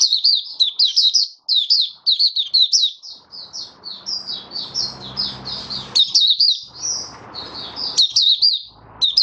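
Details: Caged oriental white-eye (mata puteh raja) in open song on the fifth day after its monthly deworming, 20 January 2022: rapid high twittering phrases of sweet chirps and slurred notes, near-continuous, with a hiss-like background noise in the middle.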